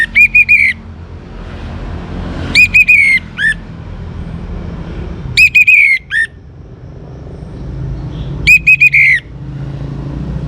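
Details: Young Orange-headed Thrush song for inciting other birds to sing: four clear falling whistled phrases, each of several quick notes, repeated about every three seconds over low background rumble.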